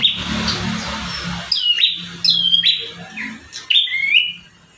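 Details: Bar-winged prinia singing strongly, one of five song variations used to train caged birds; after a burst of rough noise, four clear whistled notes slide steeply downward, spaced about a second apart.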